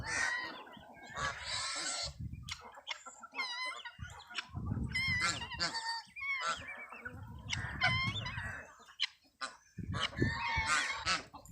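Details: Geese and their chicks together: the adults give loud honks while the chicks add thin, wavering, high peeps between them, with bursts of low background noise.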